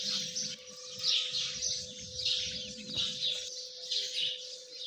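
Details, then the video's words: Young partridge chicks peeping rapidly, about one shrill chirp per second in uneven bursts, with a constant low hum and muffled rumble underneath. "Dakani Teetar chicks | Partridge beautiful chicks"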